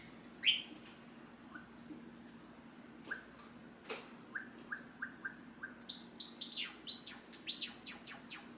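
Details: Tame pet Java sparrow singing from its cage as its owner prepares to leave: soft, evenly spaced low peeps that quicken into a run of bright, high, ringing notes, faster and louder toward the end.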